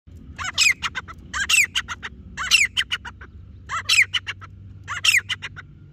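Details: Grey francolin (Francolinus pondicerianus), in a hunting context, giving loud, harsh, clipped phrases of rapid ringing notes, each burst repeated about once a second over a low rural hum.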